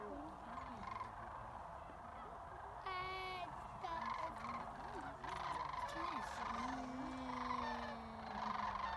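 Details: Many sandhill cranes calling together at Jasper Pulaski, their overlapping rattling bugles forming a steady, throbbing din. One sharp, clearer call cuts in near the three-second mark, and a long, smoothly falling note sounds toward the end.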